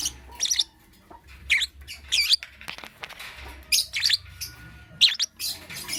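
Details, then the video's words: Morning chirping of a lovebird, sharp high-pitched squeaky notes grouped into quick bursts about every half second to second, separated by brief pauses, over a soft low background hum. "Amazing Lovebird - Beautiful Colors - Chirping Sounds"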